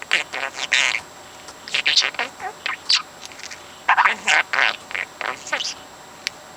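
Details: A 4-month-old pet parrot chatters in short, speech-like bursts of raspy, rising and falling syllables, repeating conversations it has heard, pausing between phrases as if forming sentences, talking itself to sleep.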